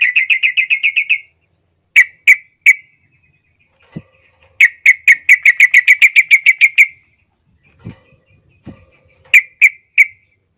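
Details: Trucukan bulbul in full song, a training master for young birds: rapid bursts of ringing repeated notes at about three per second, separated by single chirps and gaps, with a few soft knocks between phrases.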